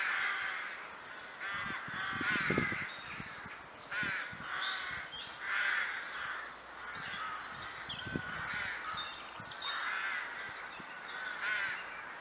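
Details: Crows calling in the Kraaienbos at Kloosterbos near Vaals; harsh, rasping caws repeat irregularly, several birds overlapping, with thin high calls of other birds and a few low thumps in the background.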